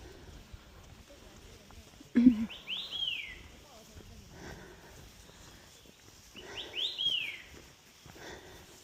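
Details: An early bird sings in the dark before sunrise at about 4 a.m., giving two short, clear phrases of slurred, falling whistles about four seconds apart, over a quiet background with a faint voice and footsteps.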